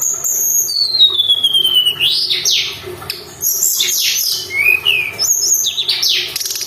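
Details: Mountain tailorbird in full song, used to train and provoke other caged songbirds: long descending whistles, sharp upward sweeps and bright chattering notes in rapid varied phrases, with a faint constant low hum behind.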